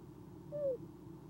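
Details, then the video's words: Eastern screech owl in a nest box at 5:48 pm on 16 December 2015, hooting before leaving for the evening: one soft, short whistled note that falls slightly at the end, over a low steady hum. "makes hoot sounds then trills before leaving"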